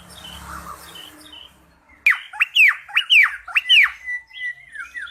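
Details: Song of a cucak pantai bulbul: two seconds of faint murmuring background, then a burst of five strong, ringing, swooping whistled phrases followed by softer slurred notes.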